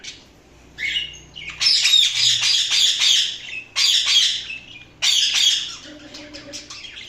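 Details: Indian ringneck parakeet chirping: harsh, raspy squawks in rapid bursts of two to three seconds, separated by short pauses, with a faint low tonal hum near the end.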